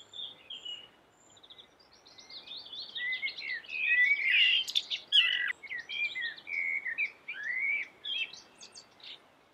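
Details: Common blackbird, described as yellow-billed black bird in full song, giving melodious warbled phrases of fluty whistles and squeaky high twitters, swelling louder mid-clip then trailing off in short chirpy bursts.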